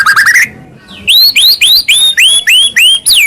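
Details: Masteran song of a white-rumped shama meant to make other shamas answer: a brief chattering trill, a short pause, then a steady series of bright rising whistles repeated about three times per second.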